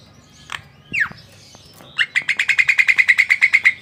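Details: Javan myna in captivity: a few scattered whistles and clicks, then a steady rapid trill of about fifteen rhythmic notes.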